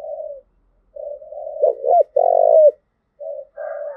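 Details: Spotted dove in Đồng Nai, Vietnam, 'thúc gù' coo used to train decoys: soft level coos build into looping notes and a strong long rolling coo, followed by quieter short coos.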